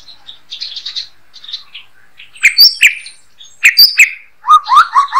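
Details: White-rumped shama (murai batu) song used as a master recording for training songbirds: soft high chattering notes, then loud sharp whistled bursts and descending slurred phrases in irregular clusters, clean background.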